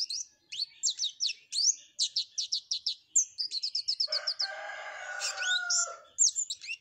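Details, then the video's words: Flowerpecker singing actively with canary-style content: strings of rapid sharp high chirps, a fast even trill, then a lower drawn-out harsher sound before the high chirping resumes. "Burung Cabe Cabean Gacor isian Kenari"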